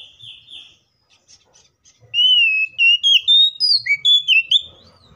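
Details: Oriental magpie-robin fighting song, used to provoke other magpie-robins into singing: after two seconds of faint scattered notes, a loud run of clear whistled notes that rise and fall between mid and high pitch, with quick slurred jumps.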